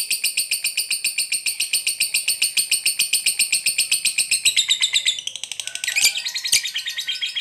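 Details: Fighter lovebird singing the long 'ngekek' chatter that sets other lovebirds replying: a sustained, fast, buzzy rattle of shrill repeated notes for about five seconds, then changing to sharper, more broken chattering with a few clicks.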